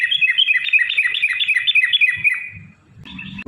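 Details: Rapid chattering song of a yellow-vented bulbul, played as a lure to set other bulbuls singing: fast bright twittering notes, about four per second, fading after two and a half seconds before a brief noisy burst.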